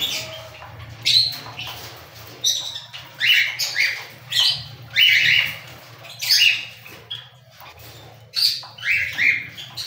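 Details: Cockatiel calling repeatedly, a steady series of short, rough chirps and squawks about every half second to a second, some rising, over a low background hum.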